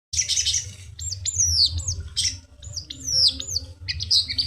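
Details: Long-tailed shrike singing, recorded to help silent birds start singing: a harsh, buzzy burst, then sharp downslurred whistled notes in quick clusters, with a steady low rumble in the background.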